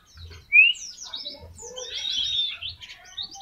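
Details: Mountain white-eye, tembakan song style for training: a sharp rising whistle, then scattered high chirps running into a short jumbled twitter, with faint low knocking.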